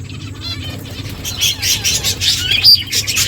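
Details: Finches chirping while eating: quick, high, scratchy chirps come in irregular bursts, growing busier after the first second, over a steady low hum.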